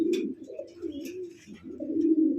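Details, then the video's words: Spanish charera domestic pigeon, one of a caged pair kept for breeding, described as aggressive: low, rolling, throaty cooing in long droning phrases with a brief pause midway, plus faint rustling. "কবুতর এভাবে ডাকে ভাই এগ্রেসিভ"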